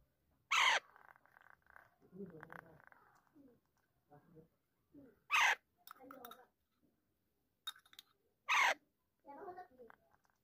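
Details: Three shrill, rasping screeches from a pet talking Alexandrine parakeet, spaced several seconds apart, interspersed with quieter low mumbling and speech-like sounds.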